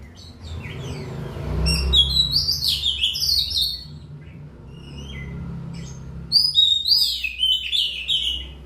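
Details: Oriental magpie-robin (kacer) song: bright whistled and warbled phrases, sweeping and varied, in two bursts separated by a quieter gap, over a low rumbling hum of traffic or machinery.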